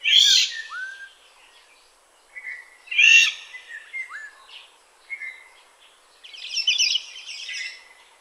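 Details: Black-naped Oriole (Oriolus chinensis) in Tainan City, Taiwan, on 21 June 2017: harsh, scratchy bursts alternate with short fluty whistles that slur up and down, ending in a long, rasping, nasal buzz.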